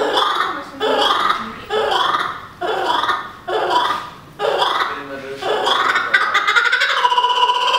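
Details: Laughing kookaburra at Berlin Zoo in a raucous, cackling laugh: harsh chuckling bursts about once a second, ending in a rolling, rising hoot.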